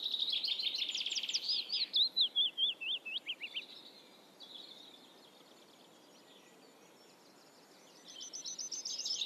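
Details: Black redstart song: a loud, rapid high trill, then a run of quick slurred notes falling in pitch, a quiet gap, then a fainter high rattling phrase near the end.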